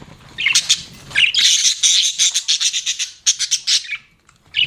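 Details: Budgerigars chattering in a continuous, buzzy, rapidly pulsed warble, a dense run of harsh high notes that breaks into separate chirps before fading.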